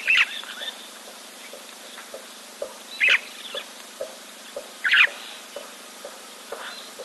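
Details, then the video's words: Red-billed buffalo weavers nesting in a tree above a waterhole camera give harsh, scratchy chattering bursts about every two seconds, with softer clicking notes between; long-tailed starlings (meaves) call in between them. "you can hear the red-billed buffalo weavers. They're nesting in this tree just above this camera."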